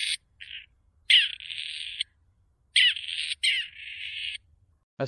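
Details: Grey Partridge calling with a series of hoarse, rasping, screechy notes, each about half a second to a second long, separated by short gaps, with a faint low rumble underneath.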